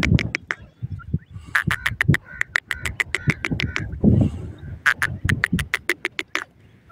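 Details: Koti teetar, the grey francolin, calling on the ground: fast runs of sharp, clicky pulses mixed with nasal ringing notes, in three bursts across the recording, over low murmuring background sound.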